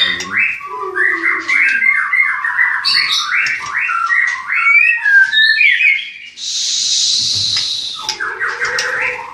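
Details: White-rumped shama kept at a breeding farm in Klaten, of champion lineage, pouring out rapid, continuous runs of clear whistled notes with quick slides, broken by a loud high hissing rasp before the whistling resumes.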